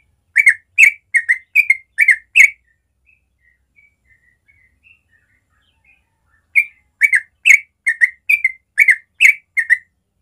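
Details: Morning ropel song of a yellow-vented bulbul, natural recording for young birds to learn: two fast runs of bubbly two-note whistles separated by a few seconds of faint scattered notes.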